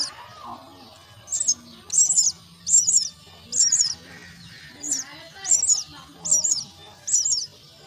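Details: Nestling mynas calling for food as they are fed: a steady series of shrill, rasping high squeals, one burst roughly every 0.7 seconds, over soft low background sounds.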